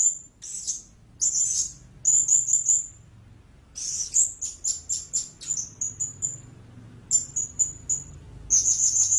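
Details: Blue-crowned hanging parrot uttering clusters of sharp, piercing high squeaks and short trills, grouped in bursts with short silent gaps between them.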